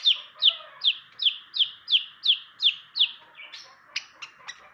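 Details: Long-tailed shrike, kept as a 'pastol' tutor bird, repeating sharp downslurred notes roughly three per second, then switching to a few harsher, broader clicks near the end.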